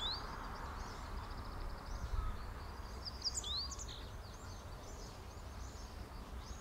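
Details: Meadow bunting singing, filmed with a Sony camera and 200-600mm lens: one quick phrase of sharp, high twittering notes midway, with a soft high chatter of other birds and a low steady background hum throughout.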